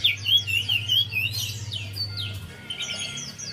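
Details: Javan white-eye song used as a lure to coax a quiet, reluctant bird into singing: quick high twittering phrases of rising and falling chirps, busiest in the first second and a half, over a steady low hum.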